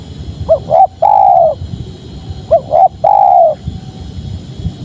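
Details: {'caption': 'Two phrases of spotted dove song, each two quick rising coos and a long smooth falling-ended coo, roughly two seconds apart, over quiet low-pitched background noise.'}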